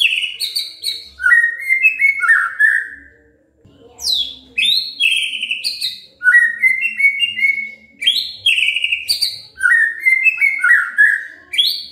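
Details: White-rumped shama song used as a lure to make other shamas sing actively: loud, varied whistled phrases sliding downward in stepped series, with sharp high notes between, in bursts repeated every few seconds with a brief pause.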